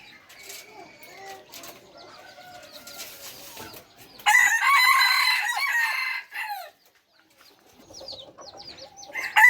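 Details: Red junglefowl of a bred third (F3) generation: after soft twittering of small birds, one loud, raspy crow lasting about two seconds, ending in a falling tail, then quieter chirps.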